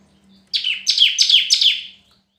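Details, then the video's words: Red-whiskered bulbul singing competitively: a bright phrase of four quick, slurred whistled notes, each dropping in pitch, delivered in about one and a half seconds, with a faint low hum underneath. "Chào Mào Hót Đấu"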